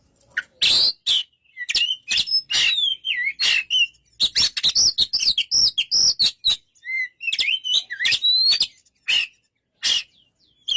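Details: Oriental magpie-robin singing a lengthy medley of crisp clicks, rapid chips and looping high whistles, with intense chattering in the middle and scattered sharp notes toward the end.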